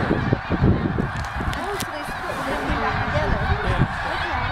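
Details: Snow geese honking as a flock moves from a feeding field to a nearby lake for the night at Middle Creek Wildlife Management Area, Pennsylvania; many overlapping nasal honks over a steady broad wash of background noise.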